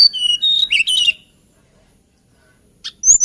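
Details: A sweet, melodious whistled phrase from a hill blue flycatcher, held notes rising into a warbling flourish, followed by silence and a brief high restart.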